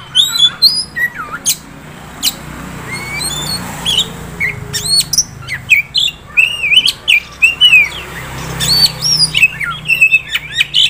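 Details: Kacer, an Oriental magpie-robin, young prospect bird, singing a varied chattering song: quick upslurred and looping whistles, sharp clicks and twittering phrases in irregular bursts, with faint background hum.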